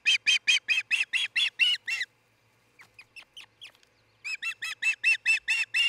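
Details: Osprey at a nest cam in Charlo, Montana, early morning of 26 June 2018, where a pair is nesting: two bursts of rapid, clear chirped whistles, about eight notes each, separated by a few fainter thin notes.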